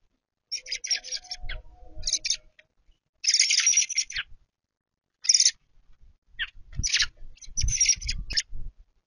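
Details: Fledgling American robins at a feeder, expecting their mother to feed them while she tries to teach them to feed themselves; bursts of raspy, hissing high chatter separated by short silences, with low thumps and rustling.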